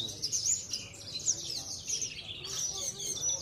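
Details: Javan bush lark kept as a competition bird in Cilacap, Indonesia, known as a steady weekly winner. It delivers a continuous, high, scratchy warble mixed with sharp squeaky notes. A faint murmur of voices sounds underneath.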